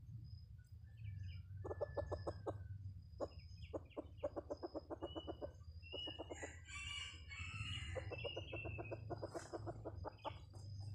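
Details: Red junglefowl lure call: bursts of rapid, evenly spaced clucks in repeated series of about six to ten notes, with higher chirps in between over a steady low hum.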